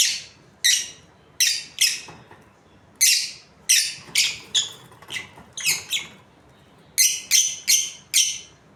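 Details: Australian lovebird breeding pair calling steadily with piercing, descending chirps, mostly single notes with short clusters of three or four toward the end.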